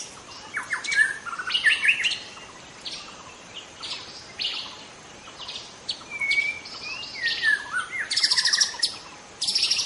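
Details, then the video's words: Wild forest white-rumped shama singing, used to draw in other shamas: a rich mix of clear whistles, sharp high chips and short rattling bursts in varied phrases, with soft natural background. "suara asli murai batu hutan cocok untuk Memancing murai batu lain"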